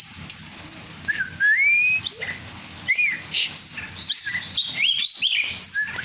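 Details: Tame Oriental magpie-robin, poci variety, in active song: sharp chirps and slurred whistles, some rising, broken by short pauses. A long, smooth, rising whistle runs between them.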